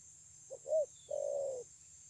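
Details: Spotted dove cooing, 9/6/2020: a brief soft note, a stronger arched coo, then a long, slightly falling drawn-out coo; a faint thin whistle from another bird above.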